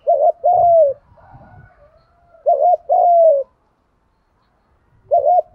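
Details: Spotted dove cooing, male and female, meant to stimulate doves to coo. Two full phrases and the start of a third come about every two and a half seconds, each a wavering short note then a falling coo. Soft low knocks are audible.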